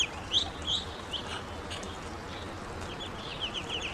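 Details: Hungry young ducklings giving short high piping peeps, a few clear ones early, then fainter scattered calls over a constant low hum.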